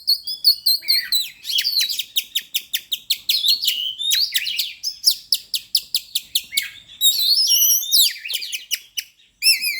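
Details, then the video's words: Oriental magpie-robin in full, nonstop song, recorded as a lure for other birds: a dense rush of sharp, high chips and slurred whistles, with clusters of quick notes and sweeping phrases. "PANCINGAN SUARA BURUNG KACER GACOR"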